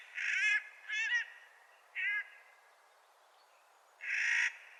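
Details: Clark's nutcracker in spring, uttering a series of harsh, rasping calls: two close together, a shorter third, then a longer grating one after a pause.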